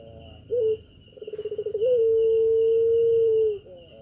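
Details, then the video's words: Collared dove (puter) in the pelung cooing style: a short coo, a quick rolling pulsed rattle, then one long steady drawn-out low note held nearly two seconds, over a faint constant electronic whine. "puter pelung sound jossss"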